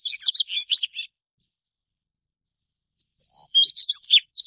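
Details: Daurian redstart (Phoenicurus auroreus) giving two short, high, scratchy twittering phrases of quick jumbled notes, about a second each, separated by a silent gap of roughly two seconds; the second phrase opens with a thin, drawn-out whistle. No other sounds.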